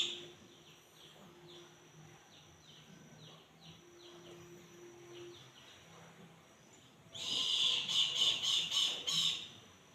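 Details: Hungry Brahminy kite: a long quiet stretch with faint background sounds, then a sudden loud two-second burst of rapid, nasal, high notes pulsing at an even pace near the end.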